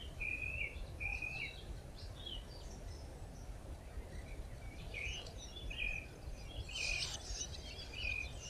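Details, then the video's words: Red-backed shrike feeding its chicks: thin high squeaky calls repeated in short bursts, with chirps scattered through steady low rural background noise. "Обыкновенный жулан кормит своих птенцов"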